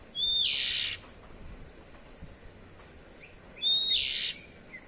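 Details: Oriental magpie-robin (kacer) giving its ngeplong-style 'cier' call, used as playback to coax young birds into singing: two harsh, hissing bursts with a whistled edge, each under a second, about three seconds apart, over quiet background hiss.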